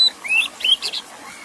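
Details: Oriental magpie-robin with background water sound: two soft rising warbled whistles followed by a quick burst of fainter chirpy notes, then quiet hiss.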